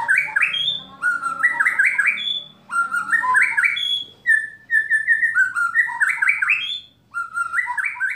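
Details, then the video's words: White-rumped shama song with kretekan and tembakan phrases, meant to provoke other shamas into singing: loud whistled notes in stepped rising and falling runs, repeated in bursts with short pauses, plus faint high ringing notes. "Kretekan Dan Tembakan Murai Batu Memancing Emosi Murai Langsung Gacor"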